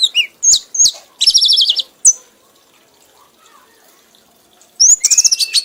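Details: Red-whiskered bulbul, described as an accomplished bird, singing heavily in a 'mabok' trance until exhausted. High whistled notes and fast buzzy trills come in two bursts, separated by a quiet pause of about two and a half seconds.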